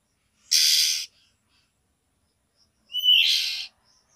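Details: Female oriental magpie-robin calling a male to raise his breeding urge: a loud, harsh rasping burst, a pause, then a short rising whistle that runs straight into another scratchy hiss.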